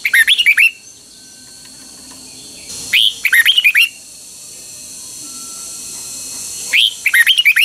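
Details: Red-whiskered bulbul kept as a cage bird in Thailand, from Pa La-u forest, delivering double-style song phrases: three separate bursts of rapid, liquid, chirpy whistled notes, each about half a second long, with quiet gaps between.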